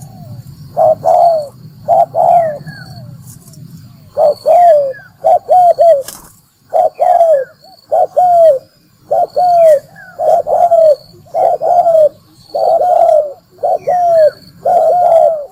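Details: Spotted dove used as a lure bird for trapping, giving deep, mellow cooing phrases of two to three hooting notes, repeated roughly every second with short pauses, with faint higher chirps from other birds and a low background hum.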